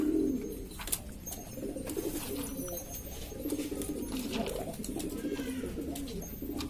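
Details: A noisy flock of assorted domestic pigeons in East Lombok, West Nusa Tenggara, gives overlapping low, muffled cooing throughout, mixed with scattered clicks, scuffs and flutters.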